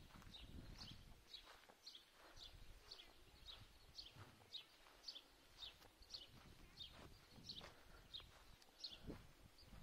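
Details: Recently hatched wild greylag goose goslings heading to the water at Lake Neusiedl, guarded by adult geese; high, thin, downward-slurred peeps repeated about twice a second over low rustling and soft thumping.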